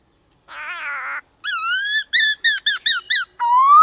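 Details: Black-throated laughingthrush in varied-voice song, used to stir other birds to sing: a faint high whistle, then a buzzy harsh phrase, a long rising whistle, a fast run of short arched whistled notes, and a final rising whistle.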